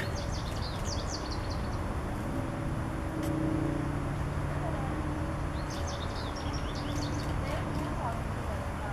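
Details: An Anna's hummingbird at a feeder at Richmond Nature Park gives two quick bursts of thin, high, squeaky chips, each about a second long, with low traffic rumble and faint voices in the background.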